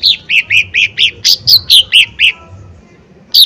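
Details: Lesser green leafbird giving a loud, forceful burst from a lure recording meant to provoke rivals to sing: about nine bright, high notes repeated quickly, each slurring downward, then a short quiet gap before another note.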